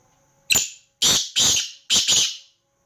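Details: Black francolin calling: a sharp short opening note followed by harsh, grating, broadband notes in two closely spaced pairs over about two seconds, against a quiet background.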